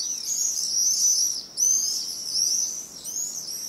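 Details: Wood warbler song, typical of oak or beech woods in Britain: a very high, shivering trill that speeds up like a spinning coin on a marble slab, repeated in bursts about every one and a half seconds.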